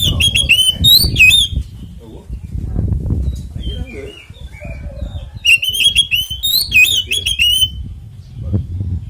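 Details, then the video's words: Kacer (Oriental magpie-robin) fighting song used as a lure for other birds: two bursts of rapid, loud whistled and chattering notes separated by softer scattered whistles, with low rumbling noise between. "SUARA BURUNG kacer gacor NGEPLONG TARUNG konslet ini PALING AMPUH buat PANCINGAN KACER cepat GACOR"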